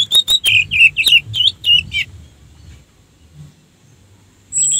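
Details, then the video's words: Orange-headed thrush lure song for rousing other birds: a quick run of about a dozen rich, looping whistled notes over two seconds, silence, then a high clear whistle at the end. "suara Anis merah untuk pancingan"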